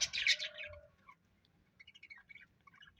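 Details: A pet parrot lets out one loud, harsh, noisy squawk lasting under a second. Faint, thin chirps follow and trail off into near silence.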